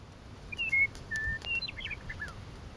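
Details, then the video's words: Meadowlark singing in a coulee at Lethbridge on May 9, 2014: a clear phrase of pure whistled notes, a few sliding slurs, then a quick jumbled gurgling run at the end. "Lethbridge coulee meadowlark song"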